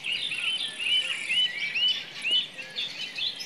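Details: Common nightingale singing in a forest: a run of bright, arched whistled notes repeated roughly twice a second, rising and falling, over a busy chorus of other birds and a steady high insect hiss.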